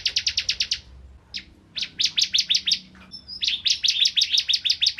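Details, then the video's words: Bar-winged prinia from rice-field habitat singing, meant to tutor magpie-robins; quick series of sharp high chirps, a short break with a couple of scattered notes, then another fast chirping run. "Burung Ciblek Kristal Gacor Untuk Masteran Murai Batu"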